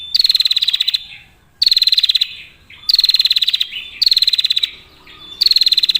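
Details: Female prinia trilling as a lure for other prinias. Five rapid, high, machine-like ticking trills, each under a second, repeated roughly every second and a half in a quiet setting.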